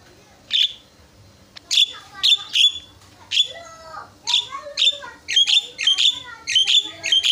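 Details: Javan myna song used to goad rival mynas into replying: sharp, ringing, high notes that begin spaced out, then come faster and crowd together toward the end, with some rasping overtones.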